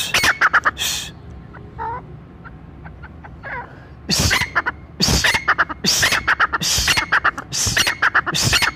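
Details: Brown francolin call meant for hunters, said to gather all francolins in the forest: quiet scattered notes at first, then loud harsh bursts with short repeated tonal notes from about four seconds on.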